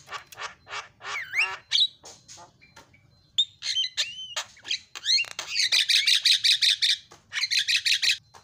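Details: Javan myna, jalak kebo, singing a fast filler-style song used as training material: harsh buzzy bursts, squawks and rising whistles, then rapid pulsed rattles repeated almost three times a second, with faint low hum beneath.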